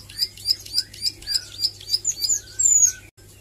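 A young Plain Prinia practising its song: a quick series of high, sharp chirps, about three or four a second, ending in a thin, piercing whistle over a faint low hum.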